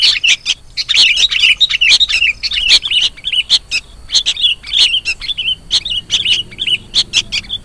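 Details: Begging calls of young sooty-headed bulbuls, mixed as a bird-trapping lure: bursts of squeaky, twisting chirps in quick clusters, interleaved with sharp ticks, with short quiet spaces between groups.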